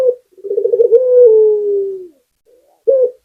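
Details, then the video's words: A single full song phrase from a local puter, Barbary dove, singing gacor as a pancingan lure: a rolling, pulsing trill that flows into a long, smoothly falling low coo, then a short coo starting the next phrase. "Puter Lokal #1 - Suara Burung Puter Gacor || PANCINGAN ANTI MACET"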